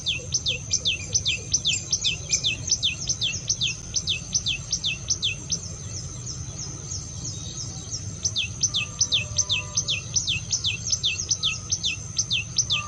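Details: Common tailorbird song used to call in other birds: long, regular runs of sharp, high, descending whistled notes, several per second, briefly pausing before resuming, with a faint insect drone and low background rumble.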